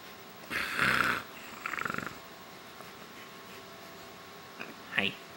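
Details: A female pet macaw gives a harsh, raspy squawk, then a quick run of pulsed, laugh-like notes (her funny laughs) and two short squeaks while a person faintly talks to her.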